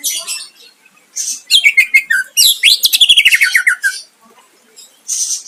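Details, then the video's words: Greater green leafbird song to provoke a rival: a harsh buzzy opening, then a fast rattling series of bright notes that slide steadily downward in pitch over about two seconds, closed by a rasping burst. "Cucak ijo gacor mancing lawan dijamin Nyahut"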